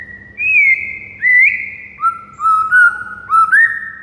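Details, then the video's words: Pure drawn-out whistled notes from a white-rumped shama recorded in the morning as a training master for other birds, each note sliding up or down, with short pauses between. "AUTO NYAUT GACOR DENGAR MASTERAN MURAI BATU PAGI HARI INI"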